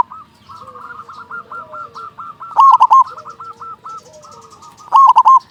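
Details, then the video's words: Actively singing local zebra dove with a big voice, used to rouse quiet or stressed doves into song: a long string of soft staccato coos, with two loud, rich cooing phrases about two seconds apart. "Perkutut lokal gacor suara besar pancingan burung perkutut agar cepat bunyi"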